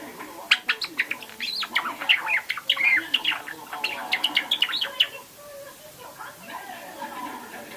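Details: A pet Java sparrow about two and a half months old practises its subsong indoors: a rambling run of high clicks, bell-like chips and thin whistled notes for about five seconds, then quiet room noise.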